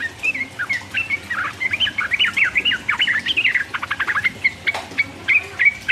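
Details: Sooty-headed bulbul ropel song, 'uplik uplik' style, to excite rival birds: tumbling warbled phrases giving way to a rapid series of clipped staccato notes, then a few sharp whistles.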